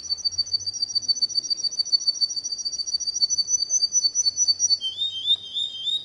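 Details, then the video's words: Canary song: a fast, steady trill of high notes held through most of the stretch, then shifting near the end to a slightly lower rolling phrase, with faint low hum beneath. "تغريد الكناري صافي و احترافي جودة عالية-Chant Canari"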